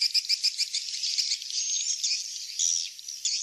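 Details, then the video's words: Swiftlet lure call, "Kings Star" variety: a few quick high chirps, then a steady, shrill, buzzing twitter that carries on without a break. "suara panggil walet kings star"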